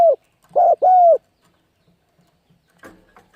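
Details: 'Thúc gù' calls of a spotted dove for luring wild birds: the end of one coo, then a short-long pair of low hollow notes, followed by quiet clicks and light knocking.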